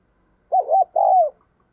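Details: Decoy spotted dove calling to draw in wild doves. One phrase of two short arched coos followed by a longer, drawn-out falling coo, with clean quiet surroundings.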